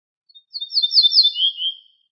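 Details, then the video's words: An ortolan bunting, called al-bouh al-fassi in Morocco, from an assembled tape of wild bird song: a couple of faint notes, then three or four repeated high sliding notes ending in a lower, fuller whistle, in a clean recording. "شريط تغريد طائر البوح الفاسى"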